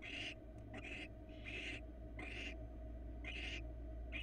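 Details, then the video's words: At a Florida barn owl nest box, the female and two babies get a small mouse. Rasping, breathy screeches come in about six half-second bursts, unevenly spaced, above a constant low hum. "Small mouse for the female and her two babies in Barn Owl Florida Cam 1"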